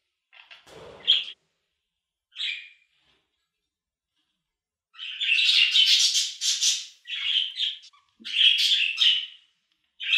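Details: Budgerigar giving a few isolated squeaky chirps after a silent gap, then long bursts of rapid, loud scratchy warbling.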